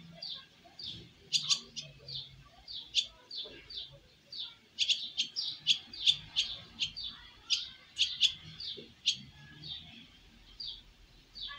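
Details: Young swallows making their first flight from the nest, with quick runs of sharp, high chirps in loose series, clustered more densely in the middle, over faint low background noise.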